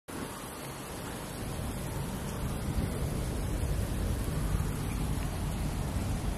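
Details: Broad, steady rushing noise like wind or rain with a low rumble, growing slightly louder; no animal calls.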